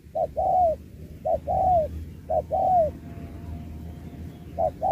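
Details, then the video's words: Spotted dove in a 2024 singing match using the 'Thúc kèm Bo' style: short clipped note then a longer down-curving coo, repeated in pairs, over low rumbling background noise. "Bài lối Thúc kèm Bo tráo trở nước như chim ngoại"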